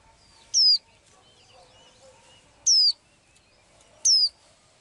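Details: Blue-eyed songbird singing daily, three loud bright descending whistles spaced about two seconds apart, with quiet twittering and faint lower notes in the background.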